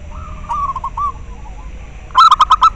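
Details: Local zebra dove heard in a recording used to prompt captive doves to call and to lure birds: faint wavering coos first, then a loud burst of six sharp, rich notes repeated rapidly.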